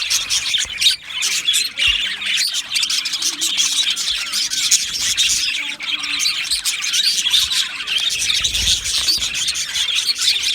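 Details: Colony of Australian budgerigars in an aviary, 12 July 2025, keeping up an unbroken high-pitched chorus of mixed chirps, squeaks and warbling chatter, with a few low thumps.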